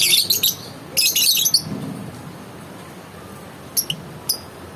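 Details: Lovebird giving two dense bursts of shrill, harsh high chirps, each about half a second long, followed by a few short, sharp single chirps after a quiet stretch.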